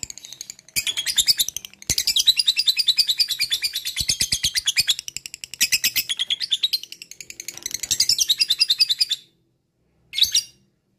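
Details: Lovebird ngekek used to coax other lovebirds into singing: three long bursts of fast, rattling chatter separated by brief pauses, then silence and one short squawk at the end.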